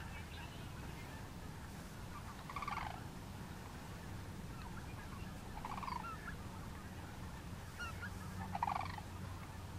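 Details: Sandhill cranes at Woodbridge Sandhill Crane Refuge, Lodi, California, in February 2013 give three rolling, trumpeting calls about three seconds apart over a steady low rumble of wind or distant traffic.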